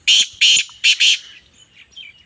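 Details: Female black francolin (kala teetar) calling: four loud, harsh, rasping notes. The first two are spaced apart and the last two come in a quick pair. A faint chirping from other birds follows, on a quiet background.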